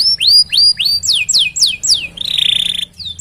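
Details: Canary singing a long chirping roll meant to prompt other canaries: descending swept whistles repeated several per second, then a fast buzzy rattling trill, then a brief high note.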